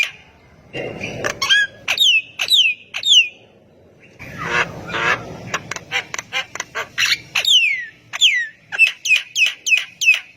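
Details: Javan myna in vigorous song that gets lazy mynas to chime in: scratchy rasps and squawks, then clear downward-slurred whistles and a fast string of sharp metallic chips near the end.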